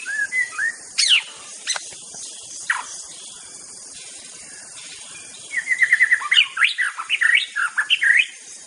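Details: Wild white-rumped shama singing in nature: a few scattered whistles and sharp notes early, a pause, then a rapid run of clear, varied, rising and falling whistled notes, over a steady high hiss.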